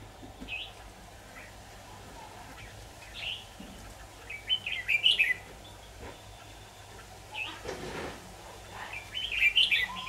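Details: Decoy red-whiskered bulbul during trapping on 23 October 2019, singing sparse, clear whistled phrases that build into louder, bubbling bursts midway and at the close, with a low hum and a brief rustle.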